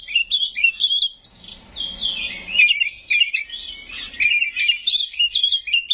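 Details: Oriental magpie-robin, locally kacer, delivering loud gacor song with isian and nembak: rising and falling whistled slurs, a long drawn whistle early on, then quick jumbled chirps and sharp notes.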